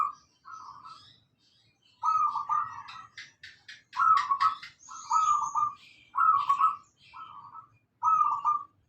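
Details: Local zebra dove singing as a lure for training cage birds: a steady series of short, rapidly rolling coo phrases, about eight in nine seconds, with a burst of dry clicking noises midway.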